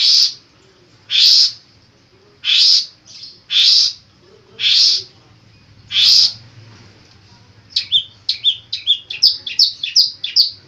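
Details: Long-tailed shrike singing with mimicked phrases, kept as a training bird: six loud harsh rasping bursts about once a second, then a fast run of sharp high chirps and whistled notes.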